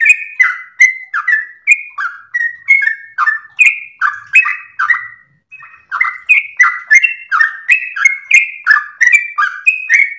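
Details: Yellow-vented bulbul delivering a long-breathed ropel song, used as a master recording to train and provoke other birds: rich liquid phrases repeated about three per second, one brief pause midway, then the run resumes.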